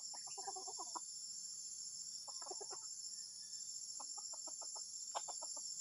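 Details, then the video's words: Junglefowl making odd, disturbing sounds: four quick bursts of staccato clucks, each a tight run of short notes, separated by pauses, with insects droning steadily. "AYAM HUTAN SUARA ANEH PENGGANGGU"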